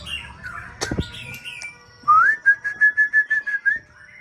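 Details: White-rumped shama of the Aceh type, a champion breeding bird, giving a burst of about ten clear whistled notes after a rising slur, evenly spaced and level in pitch, following soft scratchy sounds and a knock.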